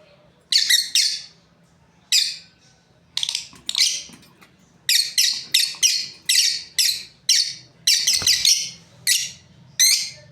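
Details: A lovebird breeding pair chirps steadily: shrill, rasping notes repeated about twice a second over ten seconds, briefly overlapping near the end, against a quiet low hum.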